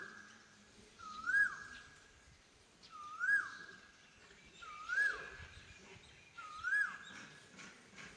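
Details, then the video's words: Repeated cuckoo call: a steady whistled note with a rising upturned tip, given four times at roughly two-second intervals, with little other sound around it. "Sound of a cuckoo"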